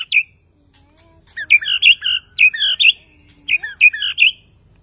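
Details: After moulting, a white-rumped shama delivers clear, sharp whistled notes in three quick bursts, each a cluster of bright chirps with short silences between.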